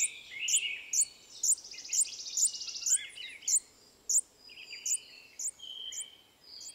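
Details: A Long-billed hermit in Costa Rica gives sharp, high squeaky notes about twice a second, mixed with thin buzzy trills and other faint high chirps behind.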